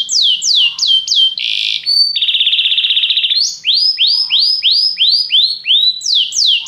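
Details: Training song of a canary, played to make a canary sing: swooping whistles, a buzzy burst, a steady rattling trill, then rising whistled notes repeated about three times a second.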